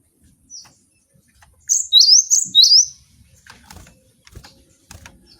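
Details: Caged Javan sparrow kept for training other birds, giving a short burst of bright, high chirps with rising slurred notes, each note bending upward, followed by faint clicks and light background noise.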